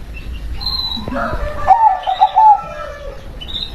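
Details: Perkutut, or local zebra dove, giving one quick phrase of stuttering coo notes over a noisy hissing background, with faint fluttering before it.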